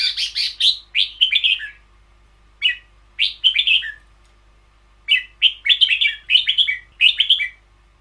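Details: Caged red-whiskered bulbul delivering its 'boen yao', long-doubled song style. It gives a steady series of cheerful, rolling whistled phrases, each a rapid cluster of notes, repeated with short gaps throughout.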